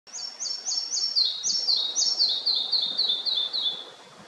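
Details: Red-breasted flycatcher singing: a brisk series of high, sweet whistled notes in pairs, starting higher and stepping down in pitch, about four per second, over faint steady background noise.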